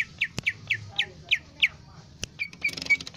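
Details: Lesser green leafbird (cucak ijo mini) singing vigorously: a quick run of six sharp, downslurred whistled notes, then louder mixed chips and twittering, with sharp clicks scattered throughout.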